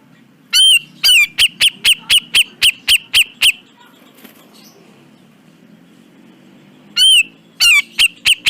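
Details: Grey-cheeked bulbul, used as a training recording for caged birds. Gives a long arched whistle, then a rapid series of short, sharp, repeated notes. After a quiet pause it repeats the whistle and starts the chattering series again.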